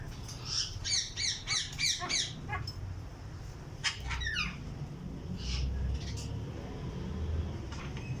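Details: Caged breeding Alexandrine parakeets give a rapid burst of about eight loud, harmonic squawks in two seconds, then scattered short, sharper calls over a steady low hum.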